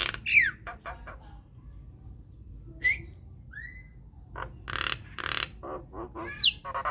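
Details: An unedited lure song by a Nias hill myna for prompting other mynas: sparse sharp whistles and clicks with pauses, a rising slurred whistle midway and a steep descending note at the end.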